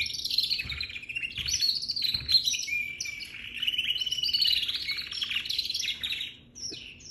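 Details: Baby canary singing, a continuous high, thin warble of quick twittering notes and short trills, rising and falling without pause for about seven seconds, with a faint low hum underneath.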